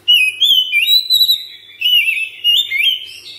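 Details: Oriental magpie-robin in a cage at home, singing ngropel style: continuous ringing whistles sweeping up and down, with fast twittering ornaments and two short dips in volume between phrases.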